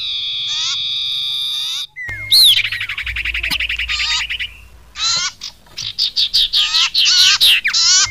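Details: Common iora call played as a trapping lure. A long steady buzzy tone is followed by a rising whistle and a drawn-out trill, then a quick series of short, scratchy chattering notes.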